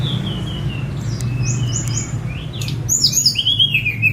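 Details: Sunda robin (tledekan gunung) let out to sing, recorded by phone: sparse thin whistles, then a burst of quick descending slurred notes at the end over low background hum.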